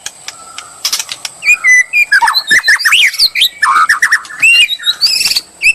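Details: White-rumped shama bait song, opening with soft steady tones and clicks, then a rush of fluty whistles, slurred trills and chatter grows louder toward the end.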